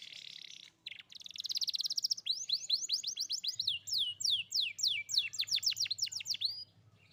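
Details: Young Atlantic canary singing, intended to stimulate a canary that has gone quiet: buzzy rolls lead into a long run of quick downswept whistled notes repeated about three times a second, then a brief pause.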